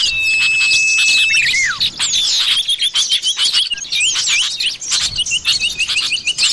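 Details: Common iora in forest: a long, steady, high whistle slides down at the end, then a rapid run of bright, chirpy notes, with several birds overlapping; Common iora.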